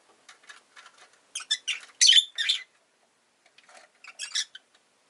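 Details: Rosy-faced lovebird, a pet kept indoors, giving harsh broadband chirps in irregular bursts, loudest around the middle, with softer scratchy notes before and after.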